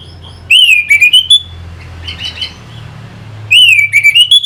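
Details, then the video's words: Orange-headed thrush song played to stimulate fighting birds: two loud phrases, each a clear whistle dipping then rising, followed by a quick series of harsh clicks, with a soft warble between. "Pancingan SUara ANIS MERAH Pembangkit Figther Burung"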